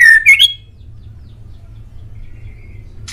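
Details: White-rumped shama male from Indonesia, used as a master recording for pet birds to answer. A brief burst of whistled notes climbs quickly, then fades into near silence. A faint trill follows and a new note begins at the very end.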